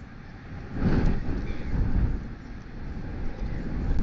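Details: Heavy low wind roar with gusts buffeting the microphone, and no clear animal call.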